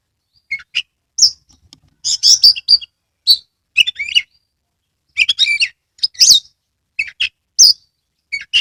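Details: Oriental magpie-robin singing from a cage in Kebumen, Central Java, tail fanned: scattered sharp chips and buzzy rasps interspersed with short whistled phrases, delivered in irregular bursts with brief silences between.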